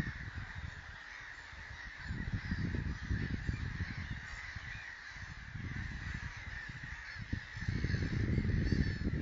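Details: Lesser black-backed gulls, pale and black birds, at Dojlidy fish-ponds near Bialystok on 11 April 2009, give harsh, repeated cawing calls over a steady murmur of more gulls, with heavy wind rumble throughout.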